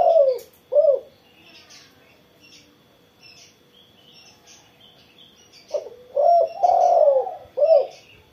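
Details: Spotted dove (tekukur) singing after morning sunning: low arched coos near 500–700, given in two phrases separated by a pause, with faint high chirps of other birds in the background.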